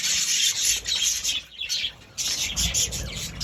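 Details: Budgie chatter: dense, grating high warbling in quick bursts, dipping briefly to a quieter pause midway before resuming strongly.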